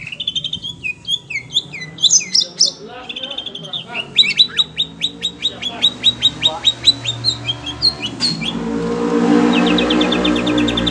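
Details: Oriental magpie-robin agitated on hearing other birds: a rich, varied run of whistled and buzzy phrases, then rapid repeated sharp notes at about two per second, ending under a rising wash of low background noise.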